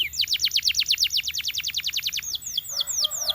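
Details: Belgian canary delivering a fast run of sharply descending notes, then slower, more spaced whistled slurs.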